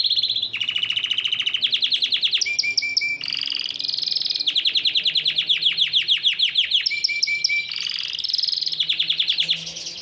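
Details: Yellow Belgian canary singing steadily: rapid rolling trills and repeated notes that switch between phrases, with some phrases pitched lower and some higher and brighter, plus short clear whistled bits, and no pauses throughout.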